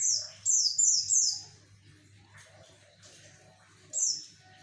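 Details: Javan white-eye song for luring males, a quick burst of three high, falling chirps, then quiet and one more chirp near the end; faint low hum in the background.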